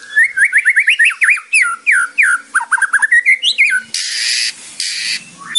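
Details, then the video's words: White-rumped shama (murai batu) song for training other birds, with kretekan rattles and tembakan shots. Fast run of varied whistled notes sliding up and down, then two loud harsh rasping bursts near the end. "BAHAYA KRETEKAN SAMA TEMBAKANNYA BIKIN LAWAN IKUT NYAUT | MURAI BATU / WHITE RUMPED SHAMA SONG"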